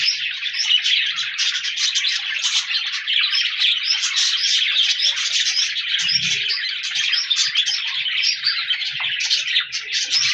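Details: Flock of colorful pet budgerigars recorded on 14 January 2024, a dense continuous chatter of warbling chirps and rapid twittering notes overlapping throughout, with faint low thumps beneath.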